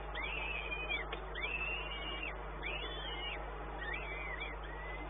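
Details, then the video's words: Midday peregrine falcon calls recorded at Płock on 1 May 2019: drawn-out, wavering wails repeated roughly every second, some doubled, above a persistent low electrical hum. "Sokół wędrowny"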